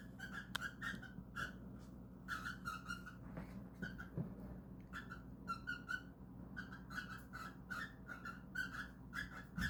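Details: Cockatiels calling while trying to mate: short harsh, raspy squawks in bursts of one to four, separated by brief pauses, with a steady low hum underneath.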